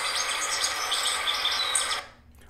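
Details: Yellow-bellied siskin (Spinus xanthogastrus) singing a rapid, twittering jumble of high thin notes and buzzy trills, continuous for two seconds before stopping abruptly.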